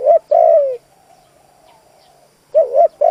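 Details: Decoy spotted dove calling to draw in wild doves: a brief two-part coo followed by a drawn-out descending coo, then the phrase begins again, clean and close.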